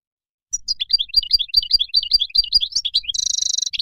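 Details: After half a second of quiet, a Moroccan goldfinch pours out a rolling series of liquid, tumbling twitters about two or three per second, ending in a dense buzzy rattle.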